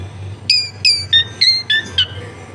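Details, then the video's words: Long-tailed shrike song for tutoring a bird that is not singing, recorded in a home among dense housing: six clear whistled notes, each bending down then holding steady, repeated about every third of a second over faint low hum. "MASTERAN ANTI GAGAL SUARA JERNIH CENDET MACET BIAR CEPAT BUNYI"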